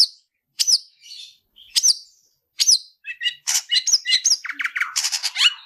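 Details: Long-tailed shrike (cendet), fighting song used for training other birds: sharp downslurred whistles spaced about a second apart, then a fast rush of scratchy chattering, rattles and mimic-like varied notes.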